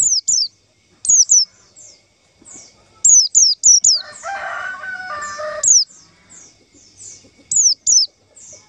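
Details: Lure call of a white-eye, played to attract white-eyes for trapping: clusters of two or three piercing high down-slurred notes, repeated every second or two, with a short harsh lower burst partway through.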